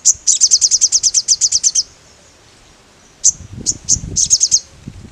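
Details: Sogon, the mangrove blue flycatcher, in full vigorous song. A quick run of a dozen high, sharp repeated notes ends in a pause, then scattered high chips and a short trill come over low rumbling noise.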